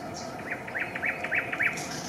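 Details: Eurasian coot family at a nest with chicks, Raszyn ponds near Warsaw, Poland, 4 May 2024; a quick run of six short, sharp, peaked notes at mid pitch, with a faint high whistle from another bird at the start and end.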